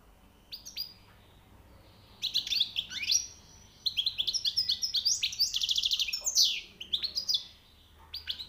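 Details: Song of a newly caught European goldfinch: after a few scattered chirps, a rush of quick tinkling twitters, trills and a buzzy rattle, then faint notes to the end.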